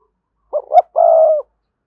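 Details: Decoy spotted dove giving a coo meant to provoke wild doves into cooing: a brief low hoot, a rising second note, then one long level mellow coo, clean with no background sound.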